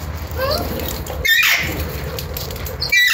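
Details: Alexandrine parakeet (Psittacula eupatria): one loud harsh broadband squawk near the middle and a second starting at the very end, with a few softer chattering notes before them and a low steady hum underneath.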